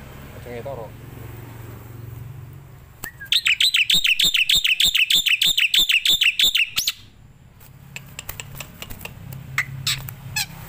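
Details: Starling or myna song used as master training audio for other songbirds: a fast, regular run of loud, sharp, wavering whistled notes, about three per second, after a soft opening, followed by scattered clicks and quieter chips.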